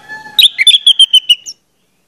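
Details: Orange-headed thrush (anis merah) lure song for prompting birds to sing: faint background whistles, then a rapid series of about seven sharp, evenly spaced whistled notes over one second.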